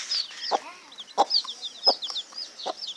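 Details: Chicks peeping in rapid high, thin cheeps that overlap continuously, mixed with a few lower, short clucking notes about every half second.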